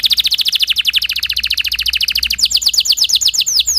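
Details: Timbrado canary, singing for training and listening, holds a fast, even rolling trill for over two seconds. It then switches to slower, sharper down-slurred whistled notes.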